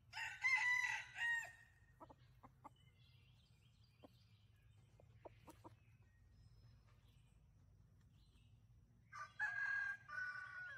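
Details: Farm roosters in a rural area: a loud harmonic crow opens, a few sharp clicks and taps follow over a low steady hum, then another crow begins near the end.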